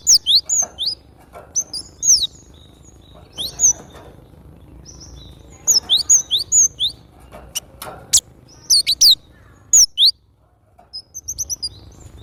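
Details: Song of the Javan grey-throated white-eye, a series of high, thin, rapid twittering notes in loose bursts of several chirps, with sharp clicks between phrases and soft low background noise.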